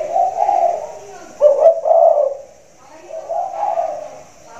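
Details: Caged spotted dove with a big voice cooing in a hanging cage during the rainy season: low, hollow coos in three spaced groups, the middle one a sharp double note.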